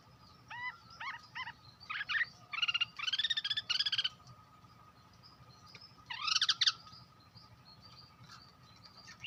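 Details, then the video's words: Hwamei giving a lure song, a rich mix of short slurred whistles, dense buzzy warbled bursts and rapid chattering phrases, separated by pauses, with a steady low hum underneath. "Tiếng chim hoạ mi đất hót mồi chuẩn(suab noog kaim kauj quaj cuab tuaj zoo)"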